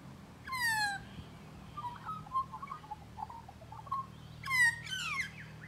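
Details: Close encounter with a magpie: a loud falling rasping call, then soft scattered warbled notes, then a double burst of harsh descending calls, over a low humming background.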